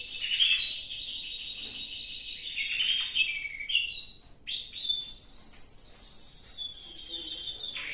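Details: Spanish timbrado canary singing in an aviary in the Canary Islands: high continuous trilled and rolling phrases, steady then dipping, followed by a thin sustained high trill.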